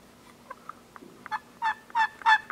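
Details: Gould's wild turkeys on Mt. Lemmon in the Sky Island mountains of southeastern Arizona, recorded during annual surveys: faint scattered clucks building into louder, rapid yelping notes toward the end.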